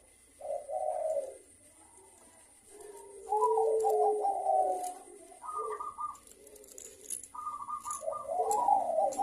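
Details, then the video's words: Local zebra doves calling over one another, a recording used to lure birds into song: overlapping soft coos and higher level whistled tones, fainter and with some background hiss. "Perkutut Lokal Gacor Suara Rame saling Bersahutan Pancingan Merangsang untuk Cepat BUNYI"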